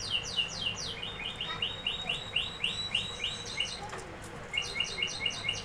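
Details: Canary song: rapid trills of repeated, high, downward-swept chirps, several phrases of fast rolling notes with a brief pause near the middle, over a low steady hum.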